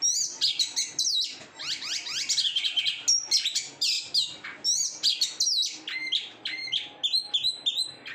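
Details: Caged oriental magpie-robin in continuous song: rapid high chirps, slurred whistled sweeps and buzzy notes packed closely together, phrases following one another almost without gaps, with faint background noise.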